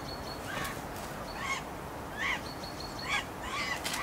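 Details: Northern goshawk pair waiting to mate, giving clear, repeated, sharp downslurred wailing calls, about one a second in uneven rhythm, over steady hiss with a faint high thin tone between calls.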